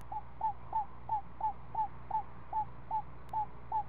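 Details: Owl owlet, a week old, in the nest as its mother feeds it snake one afternoon: short slurred notes repeated about three a second with slightly uneven spacing, low hum behind.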